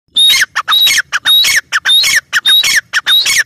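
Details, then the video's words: Grey francolin (teetar) calling in a loud, harsh series: squawky three-part phrases with a thin high whistle, repeated rapidly about every half second without pause for over three seconds. "Teetar ki awaaz | teetar ki boli | teetar awaz | gray francolin teetar sound"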